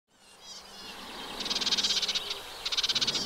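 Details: A Eurasian reed warbler at a 2023 nest in a wet meadow beside the Vilaine near the Arzal dam, Brittany, on 15 June 2023 gives two quick one-second bursts of harsh, high, rhythmic chatter over faint hiss.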